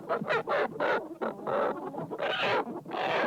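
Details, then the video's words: Flock of chickens inside a hen house, loud harsh squawking calls in bursts of about half a second, several birds overlapping. "CHICKENS IN HEN HOUSE SOUND EFFECT"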